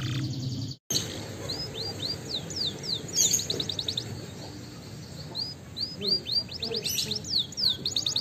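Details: Canary singing as a lure to trigger song: a brief gap near the start, then soft, high sweeping whistles and rapid ticking trills in steady runs over a hissing, humming background.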